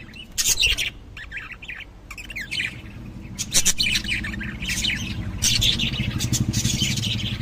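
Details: Lovebirds chirping busily, with quick, high, scratchy tweets in clusters that grow denser toward the end, over constant low-pitched background hum.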